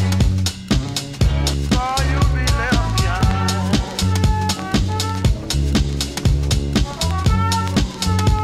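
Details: Drum-kit music with bass drum, snare and rimshots plays, along with a melodic line; no animal sounds.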